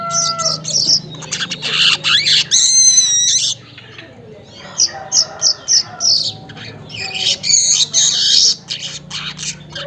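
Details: Weaver lure song at dawn, about 5:40 in the morning: rapid dry chattering notes and wheezy, rattling buzzes, then a series of short clipped bursts repeated several times a second.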